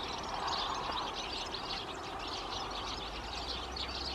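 A European goldfinch sings a steady, high, tinkling twitter of quick liquid notes without pause, over a faint background hiss.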